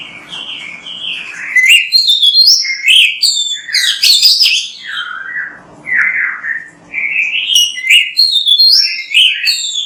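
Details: Oriental magpie-robin singing continuously in a training recording, with rich whistled phrases, rising and falling slurs and bursts of sharp chirps, briefly softer midway.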